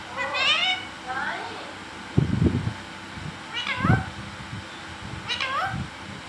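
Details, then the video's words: A green talking parrot kept as a pet, voicing three harmonic, arching, nasal calls spaced about two seconds apart, with low thumping knocks in between. "Parrot Sound Talking Parrot Bolne wala totha"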